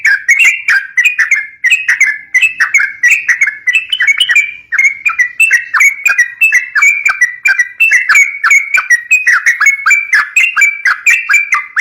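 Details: Yellow-vented bulbul (trucuk) in a long, steady outpouring of song, meant to draw young birds into singing. Crisp, bubbling phrases repeat roughly every half second, slurring up and down without pause.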